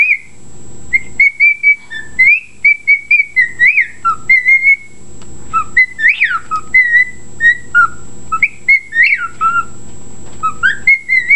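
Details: Pet bird whistling reveille and wolf whistles, a long string of clear tonal notes mixing steady held tones with several swooping rise-and-fall whistles, over a constant low hum.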